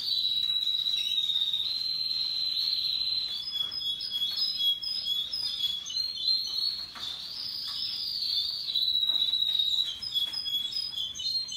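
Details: Russian yellow and Timbrado canaries singing happily: a continuous, high warbling song of rapid trills and rolling phrases, with thin sustained whistled notes above, running without pause throughout.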